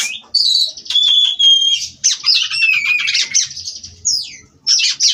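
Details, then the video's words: Oriental magpie-robin (kacer), captive-bred, delivering unbroken 'ngerol' rolling song: a long pure whistle held steady, then dense twittering runs and rasping trills, ending in short emphatic chips. "Kacer Ini Ngerol Tanpa Henti"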